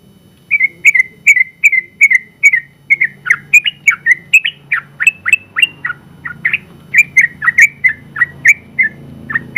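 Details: Competition-winning Sooty-headed bulbul delivering its long rapid song. Bright whistles come in fast succession, with some steeper down-slurred notes mixed in partway through. A soft low background hum is heard.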